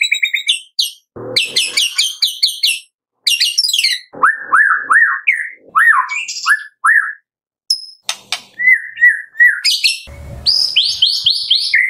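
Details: White-rumped shama morning song for prompting caged shamas to sing: fast chattering bursts, clear rising whistles repeated in short series, warbles and scratchy notes, with brief silences between phrases.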